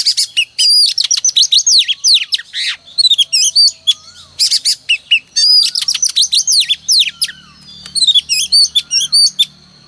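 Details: Sustained song from a female oriental magpie-robin lure meant to trigger male singing each morning. Rapid phrases of varied sharp whistles and chatter pour out in several long runs separated by brief pauses.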